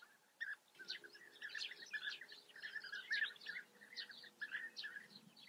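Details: Many European bee-eaters at a colony in the Eifel, Germany, with a continuous stream of short burry calls and higher twitters overlapping, and a faint steady hum beneath.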